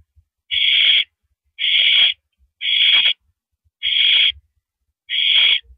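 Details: Owl at its nest around 10:30 PM on April 5, 2012, when a mouse is delivered: five harsh, breathy hissing screeches, each about half a second long, repeated roughly once a second with silence between.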